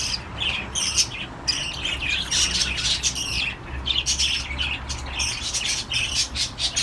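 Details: Cockatiels mating give harsh, scratchy squawks and chirps in quick, uneven bursts.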